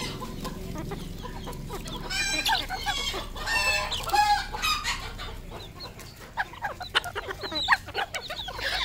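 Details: Red junglefowl kept as a village decoy bird, giving loud harsh harmonic calls in the middle section among a busy chorus of many overlapping high chirps and clucks, with a low hum underneath.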